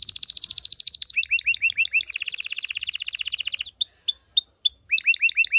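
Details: Canary singing to stimulate mating: a fast high trill, then quick paired chirps, another rolling trill, a few long pure whistles and more short upslurred notes.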